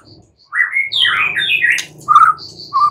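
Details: White-rumped shama singing at night as a lure to prompt answering song: a quick warbled phrase of slurred whistles ending in short fluty notes, with a low steady hum beneath.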